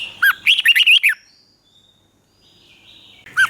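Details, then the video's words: Thai caged red-whiskered bulbul, southern-style song played to make birds lively and to train chicks: a brisk warbled phrase of six or seven chirpy notes, long quiet gap, then the next phrase starts at the end. "เสียงนกกรงหัวจุก สำหรับต่อ หรือ เปิดให้นกคึก เสียงเพราะๆ"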